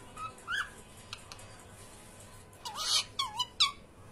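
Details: Pet cockatiels playing give a couple of soft whistles, then a burst of loud, harsh, rising-and-falling chirps packed into the final second and a half.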